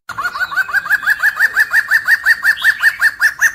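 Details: Black-hooded laughingthrush giving a rapid, steady series of short, slurred chuckling notes, about three per second, evenly spaced and fairly uniform in pitch for several seconds, with no other clear sounds.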